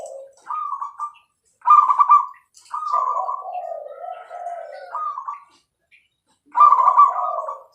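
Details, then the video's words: Zebra dove (perkutut, Bangkok type) singing clearly and actively: a series of short and long coo phrases, bright higher notes that repeatedly fall to a lower rolling trill, with silent gaps between phrases. "perkutut gacor suara jernih"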